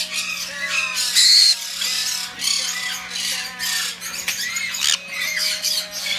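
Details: Hand-tame black-headed caique, hatched 10 April 2016, at a bird shop, giving loud harsh screeching squawks in near-continuous bursts with brief pauses, some shrill whistled notes mixed in.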